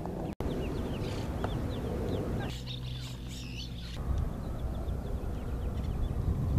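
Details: Mallard ducklings hatched spring 2015 along a public canal in Tempe, Arizona, mostly late afternoon, give thin, high, rising peeps, several per second and overlapping, over a steady low rumble with a brief louder burst midway.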